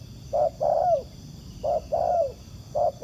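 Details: Spotted dove caught cooing at a trapper's ground decoy: short hoot then a long sliding coo, repeated twice, then a third phrase beginning; close and clear over soft hiss.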